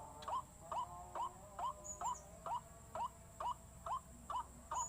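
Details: A white-breasted waterhen lure: clear upward-bending notes repeated a little over twice a second, set against a steady high hiss.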